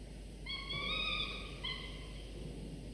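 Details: Two falcon chicks, 24–25 days old, in a nest being fed morning prey by their father, still sleepy; drawn-out whining cries with rich harmonics, one long wail then a shorter one, over a low background hum.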